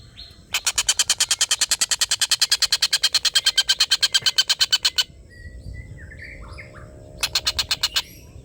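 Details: Collared kingfisher giving its long laughing call, used as tutor audio for competition songbirds: a harsh, rapid run of evenly spaced notes lasting about four seconds, then a short second burst, with faint chirps from other birds between.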